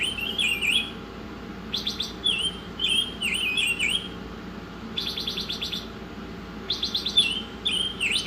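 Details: Masteran training song of an Oriental magpie-robin, alternating rapid rattled note series with looping, downward-bending whistles and high thin chips, phrases spaced by short quiet gaps against a low steady hum.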